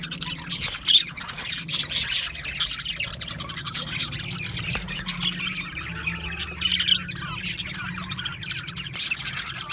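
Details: Several budgerigars chattering and chirping together, a busy flock of rapid, high, squeaky and warbling notes with occasional louder squawks, over a low steady hum.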